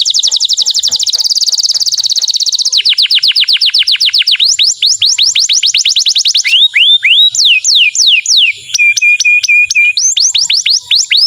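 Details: Excited male canary singing to prepare a female for mating: loud, fast rolling trills of rapid high notes, shifting between buzzy rattles, repeated descending sweeps and a steady piping run near the end, with no other sounds.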